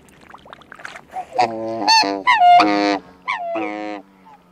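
Two black swans trade harmonic, bugling honks, some high and wavering, others lower and nasal, in bursts about a second apart, with faint dabbling sounds between.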